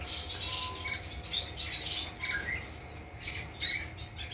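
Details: Male painted firetail giving short, thin, high-pitched chirps in small bursts, a cluster near the start, more around the middle, and a sharp final chirp late on, over a steady low background hum.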